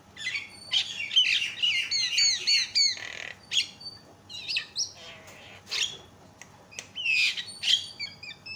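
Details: Javan myna loud calls meant to make other mynas call: fast, irregular harsh chatter with many overlapping whistled and buzzy notes, in bursts separated by brief pauses.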